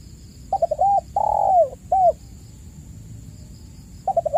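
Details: Vigorous spotted dove cooing for luring caged doves into calling: stuttered short notes, a drawn-out descending coo and a crisp last coo, followed by silence and the stutter of a new phrase, over a steady high whine.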